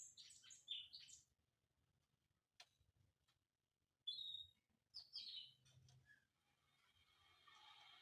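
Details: White-rumped shama song from Indonesia: scattered high whistled notes and buzzy bursts, a bright phrase near the start and short whistles after the midpoint, trailing into a soft hissing rasp with low background hum.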